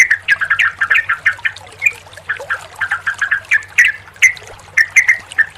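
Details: Sooty-headed bulbul song played as therapy to stimulate a silent or stressed bird to sing: rapid, chattering run of short, bright chirped notes, some rising, tumbling continuously with brief gaps, over a steady low hum.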